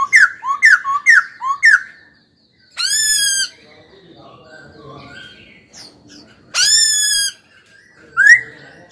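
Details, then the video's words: Caged young laughingthrush in song training: a quick series of five or six bright whistled notes, then two loud, harsh, drawn-out ringing calls separated by soft warbling, and a final short rising whistle. "Khướu hót cực hay, kích bổi hót ngay"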